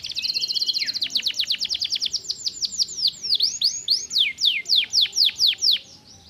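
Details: Canary singing directly, a stimulating song: fast series of steeply falling whistled notes, about four per second, after an opening rapid trill and a short low buzzy phrase.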